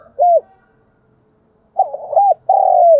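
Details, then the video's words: Trapping decoy spotted dove in 'giọng thổ' voice: a lone arched coo, a pause, then a stuttered run into a hooked note and a long, vibrating coo that slowly falls in pitch. "Chim cu gáy gọi || tiếng chim cu gáy mồi chuẩn cực hay dùng kích bổi"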